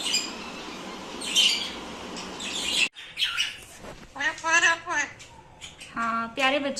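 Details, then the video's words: A pet parrot mimics speech in Urdu/Hindi, with a few sharp high chirps, then a run of short, clipped, voice-like syllables with a nasal, squeaky tone, against a low background hiss. "Mithu talking in Urdu/Hindi"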